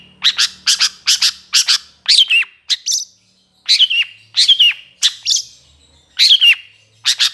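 Long-tailed Shrike giving a harsh, scratchy chatter: quick bursts of rasping notes mixed with sharp down-slurred whistles, about two phrases a second. No other sounds.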